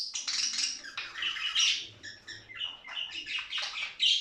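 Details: Budgerigar warbling meant to prompt play and mating: continuous rasping chatter mixed with short whistles and clicks, rising and falling in loudness.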